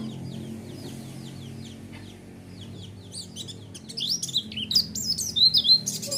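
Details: White-eye lure song meant to provoke a response: sparse high chirps at first, then a dense run of sharp, high twittering notes and slurred whistles growing louder toward the end, over a low steady hum.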